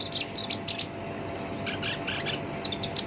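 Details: Kept black-browed reed warbler, the shinchan, whose harsh song serves as a master for songbirds: a spaced series of sharp clicky chips, a pause, then soft buzzy notes and a few final ticks.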